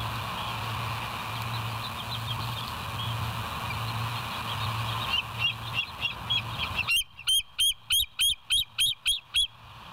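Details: West End bald eagle, live camera, 07/09/2023, 06:24. Faint high notes build, then from about seven seconds a loud run of sharp, piercing chirps comes at a steady pace of about three per second over low hum.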